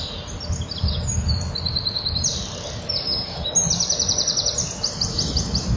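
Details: Common kingfisher at a nest, 12 July 2013, with a small chick bringing up a large pellet: high, thin notes run together into rapid trilled and buzzy bursts, nearly without pause, over a steady low rumble.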